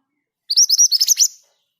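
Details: Kept Scarlet minivet (mantenan gunung) singing a short ngerol roll: roughly eight quick, piercing whistled notes rising in pitch, tightly spaced over under a second, in an otherwise silent setting.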